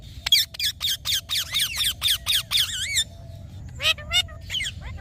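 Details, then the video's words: Green talking pet parrot: a fast run of about ten harsh wavering notes, then after a pause a few warbled, bending squeaky sounds. "Green Talking Parrot | Cute Parrot Sound | smart Talking Parrot"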